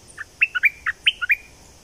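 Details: Bulbul of southern Thailand, a recording meant to excite birds for trapping: a short, lively phrase of rich, gurgling notes that step up and down, heard clearly over faint hiss.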